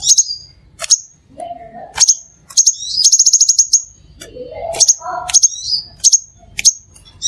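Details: Crimson sunbird song meant to attract other sunbirds: rapid high chips and a fast rattling trill, with thin whistled tails; lower buzzy, squeaky notes from another bird appear twice in between.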